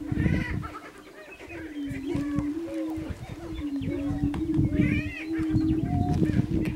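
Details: Prairie chickens displaying, several birds at once: a continuous low humming drone with frequent short whoops, cackles and chattering notes, over low rumbling thumps and wind-like noise.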